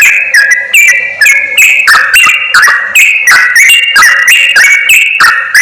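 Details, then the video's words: Sooty-headed bulbul calls used as a lure to draw wild birds near for trapping: loud, clipped whistled phrases with short rising and falling notes, repeated about three times a second, with sharp clicks between them. "SUARA PIKAT BURUNG CRUKCUK/TRUCUK"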